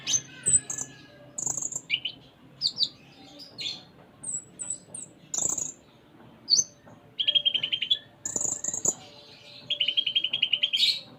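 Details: Sunda minivet (konin) singing in the lively 'gacor full isian' style: bursts of high chirps and whistles, falling slurred notes, then rapid buzzy trills repeated near the end, with a low background hum.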